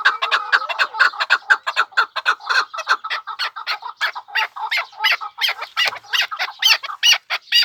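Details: Pamir chukar partridge calling in a rapid series of harsh chuk notes, about two per second. The rhythm loosens and the notes turn brighter and higher toward the end.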